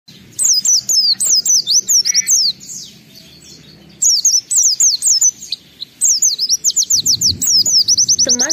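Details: Oriental white-eye in full 'gacor' song with mimicked fill-in phrases, played as a lure to get other white-eyes singing: rapid runs of high, sharply slurred chirps in bursts of about two seconds, separated by short pauses.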